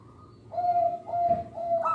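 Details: Local zebra dove song used to attract young birds: three short, low, mellow coos in quick succession, the last rising into a brief higher note.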